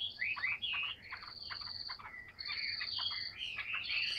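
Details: A tame, large-bodied Chinese hwamei kept in a cage sings continuously, mixing long sustained whistles with slurred, rising and falling notes.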